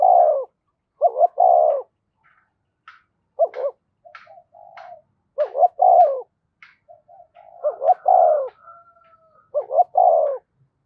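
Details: Spotted dove acting as a decoy bird, delivering a string of low two-short-one-long coo phrases, with faint high chirps and ticks from other small birds between phrases.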